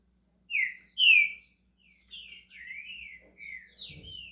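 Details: Pet green-winged saltator in Brazil beginning to sing: two loud clear whistled notes, then a softer run of slurred, rising and falling whistles. A faint low rustle comes near the end.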